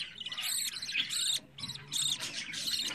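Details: Fourteen-day-old budgerigar chick kept at home, repeating rapid high harsh cheeps in short bursts with a brief pause in the middle, faint low background hum.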